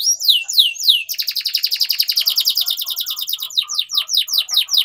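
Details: Canary training song for young birds learning to sing: a few clear downward-sweeping whistles, then a fast, dense buzzy trill, ending in quick repeated falling notes.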